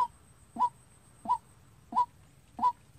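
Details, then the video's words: White-breasted waterhen kept as a decoy and calling unprompted, a sound used to trap birds: four loud, clipped notes that rise slightly at the start, spaced about 0.65 seconds apart. "Tập quốc mồi tự chơi-Tiếng quốc đi bẫy"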